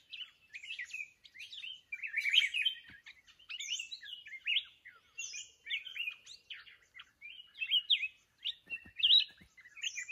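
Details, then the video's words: Lively chattering song of a wild mountain red-whiskered bulbul, recorded while trapping with a decoy bird. Busy bursts of sharp whistled notes and upslurs repeat in quick succession, with some higher squeaky notes mixed in. "Chào mào núi bẫy đấu"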